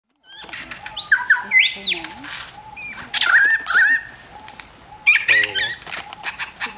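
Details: A male superb lyrebird performing its courtship display in an enclosure at Healesville Sanctuary near Melbourne, Australia, pours out a varied medley of loud whistles, sweeping slurs, clicks and buzzy notes, switching phrases every second or so.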